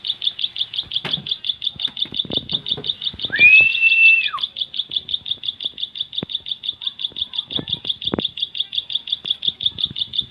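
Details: Bar-winged prinia, known as ciblek, singing a long, fast train of piercing high chirps at an even pace, interrupted briefly by a sweeping, rising-then-falling whistle.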